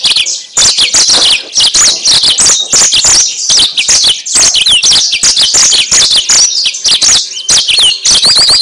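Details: Yellow-fronted canary song, used as a lure for trapping birds: a loud, continuous rapid chatter of high sweeping whistles and sharp clicks, dense and unbroken throughout.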